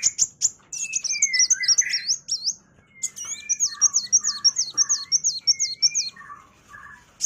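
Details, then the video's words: Kolibri wulung sunbird in energetic song for training shamas: rapid runs of very high, zigzagging chirps repeated several times a second, with lower buzzy slurred notes interwoven. "MASTERAN KOWUL GACOR || KOLIBRI WULUNG, KOLIBRI WAYANG"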